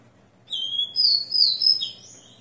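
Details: Post-moult song of a ringed, captive Rufous-collared Sparrow at 6 am on 29/09/2021: a pure steady whistle leading into a run of higher, sliding whistled notes that fall away at the close, in a quiet room.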